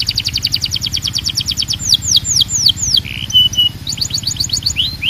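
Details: Belgian canary singing, said to call other canaries to sing: fast repeated high chirps, then a run of slurred down-sweeping whistles, a brief steady tone and more rapid trills; low steady hum underneath.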